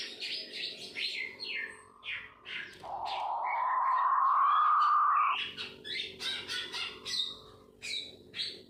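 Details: Puyuh batu or pipikau ngorok (King quail): a sustained, gently rising tone held about two and a half seconds, between bursts of rapid, high, twittering chirps from other birds.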